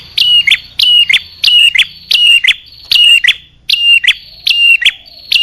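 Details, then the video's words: Loud bar-winged prinia lure call for attracting male and female birds: about nine rapid ringing phrases, each a bright chirp sliding into a short level whistle, closely repeated with only brief gaps. "Suara pikat burung kecil paling ampuh | Anti Gagal Khusus Prenjak Atas Betina Jantan"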